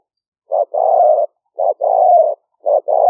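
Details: Spotted dove calling in the liu fueang style, recorded live for trapping lures in rainy-season rice fields near Nong Khu Phai, Roi Et, Thailand, 2021, on a smartphone; mellow coos, each a short note then a longer steady one, repeated three times.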